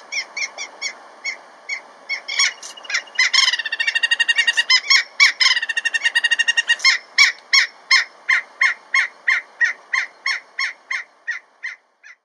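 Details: Giant kingfisher calling to its mate near water in Kruger National Park, South Africa: loud, sharp, harsh cackling notes that speed into a fast rattling burst, then slow back to spaced, grating kaks about three per second.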